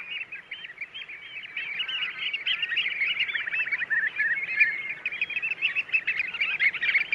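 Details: Wild birds singing in the wild: a dense, continuous chorus of many overlapping high chirps, twitters and short trills, steady throughout and growing slightly louder toward the middle, with no other clear sounds.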